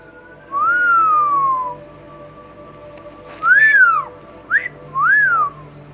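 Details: Pet double yellow-headed amazon parrot talking to its owner indoors: a clear whistle slides slowly downward, then after a pause three shorter whistles rise and fall in arcs, over a steady background hum.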